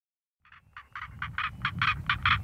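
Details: Northern Black Korhaan in southern Africa calling from an elevated mound such as a termite mound, a song post used to advertise presence or attract a mate: a harsh, raucous series of rasping croaks, about five per second, growing louder, over a low rumble.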